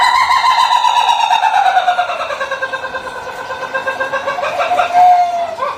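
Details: Laughing chicken crow from an Ayam Ketawa rooster: one long, rich, slowly falling note broken into fast rhythmic pulses, lasting about five seconds and ending in a short, higher rising note.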